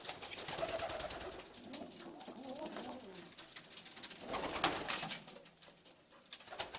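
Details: Istanbul pigeons with hazel or red eyes cooing indoors; low warbling coos come and go under constant clicks, rustling and wing noise from the flock.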